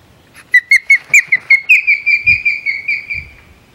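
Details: Osprey at its nest on Hog Island, recorded 27 May 2020: a run of about fifteen clear whistled chirps, sharp at first then slurred and steady, closely spaced and slowly fading, with a couple of low thumps underneath.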